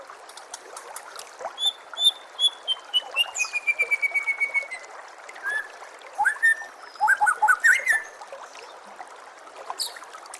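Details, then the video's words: Oriental magpie-robin tutor song for training caged birds, set over flowing, trickling water: varied whistled phrases, a rapid run of repeated high notes, then bright rising and falling whistles and chatters. "SEKETIKA PASTI NYAUT dan GACOR bila murai batu anda dengar suara MASTERAN burung seperti ini"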